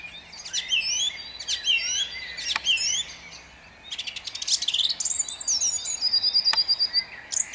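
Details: At dawn in Jabłonna, 29 April 2021, a song thrush repeats the same sharp, looping whistled phrase three times about a second apart, then switches to a dense burst and a quick, even string of high notes.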